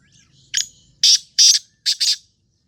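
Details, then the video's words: Black francolin calling: a harsh, grating phrase of five buzzy notes, a short opening note, two long rasping ones, then a quick closing pair, over a quiet background. "کلا تیتر کی آواز"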